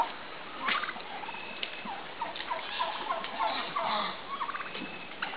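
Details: Midget White turkeys during mating, with a hen and a dancing tom; rapid strings of gobbling and clucking notes, some sharp clicks, repeated irregularly across the stretch over steady background hiss.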